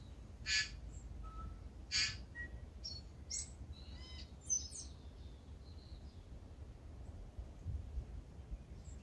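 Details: Tūī waking before sunrise in Manawatu, New Zealand, heard from indoors: sharp broadband clicks and short high notes, a few loud bursts between thinner whistled fragments, over a steady low rumble.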